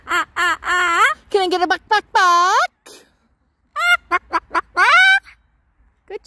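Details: Pet Moluccan cockatoo visiting a park in summer, making joyful sounds: rapid nasal, wavering chatter notes, a long swooping squawk, then more clipped squawky bursts, with brief pauses between.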